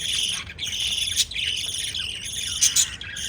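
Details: Pet lovebirds chirping while adults feed chicks; a dense, continuous wash of high, shrill chirps and squeaks with sharper accented notes near one and two-and-a-half seconds, no pauses.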